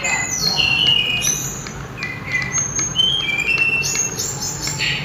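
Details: A sulingan, known too as tledekan gunung, sings a loud, melodious series of falling whistled notes, roughly four per second, over a low background hum.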